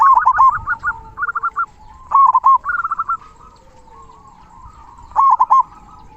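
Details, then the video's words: Zebra dove of local stock with a big 'kung' voice, singing as a tutor for quiet doves. It gives short clusters of fast, bubbling coos in three bursts, with faint cooing trailing between them. "Perkutut Lokal Gacor Suara Kung Besar Masteran Burung Perkutut Agar Bunyi"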